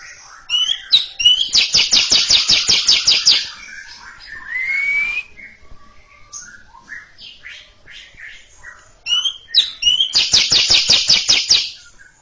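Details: Greater green leafbird (cucak ijo) delivering long chattering ngekek song before a younger bird: fast bursts of about a dozen harsh high rattling notes, a rising whistle between them, then mixed squeaky notes before another rattling burst.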